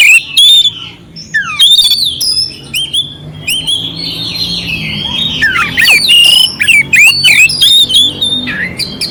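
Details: Oriental magpie-robin delivering clear song with rough fill, for provoking a sluggish magpie-robin: loud opening whistles, a softer rambling passage, then an energetic stream of bent whistles and harsh chatter.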